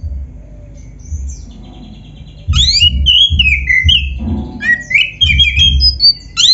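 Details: Black-breasted oriental magpie-robin delivering energetic song packed with fill-in phrases, meant to trigger singing in other magpie-robins: after quiet faint notes, a sudden burst of rapid varied whistles, upslurs and chattering trills, with low thumping background.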